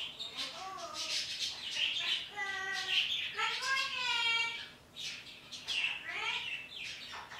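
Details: Morning chatter from a pet parrot addressing birds outdoors: clear rising and falling harmonic whistles and voice-like syllables around the middle, among rapid scratchy chirps and squawky bursts at about four per second.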